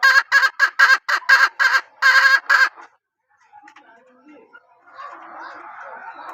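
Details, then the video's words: Loud, harsh notes from a hen of a strong-calling line repeat about three times a second for nearly three seconds, then stop, leaving soft scattered sounds and low background noise. "ตัวเมียสายร้องเกั่ง, poj qaib seev tsauj zoo heev"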